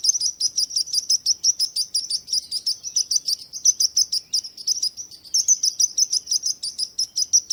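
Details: Bird chirping: bright, sharp high chirps repeated rapidly, about three per second, in a steady run with little pause and no other clear sounds.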